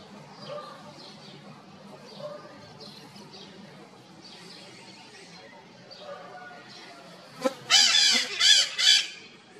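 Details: Red-shouldered macaws calling from inside a chimney give three or four loud, harsh, raspy squawks in quick succession near the end, boosted by the echo, after a long stretch of quiet background murmur.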